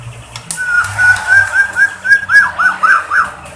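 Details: White-rumped shama singing, a recording meant to provoke other shamas into song: a fast run of clear whistled notes at a steady pitch, then louder looping rising-and-falling whistles, about four notes a second.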